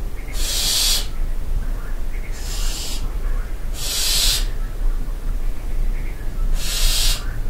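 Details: Barn owls in a castle dovecote at Barbirey-sur-Ouche at night produce four loud, airy screeching hisses of about half a second, irregularly spaced with one longer gap, against a background of deep steady hum.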